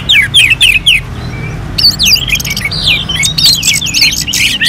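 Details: Contest-style song of an Orange-headed thrush: quick downslurred whistles at the start, a brief pause, then a busy stream of looping, twisting whistled notes and trills. A steady low hum runs throughout.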